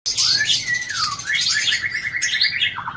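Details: Captive Aceh white-rumped shama singing a varied mimicking song that includes imitations of other birds such as cici merah, ciblek and tengkek. Loud whistled slurs rise and fall, then a run of quick repeated notes, over a steady high hiss.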